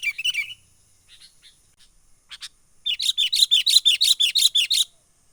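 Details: Lively wild sooty-headed bulbul calling in the menggaruda style, a lure for trapping birds: one short chattering phrase, a few faint clicks, then a clear run of about twelve quick, evenly spaced bubbly notes.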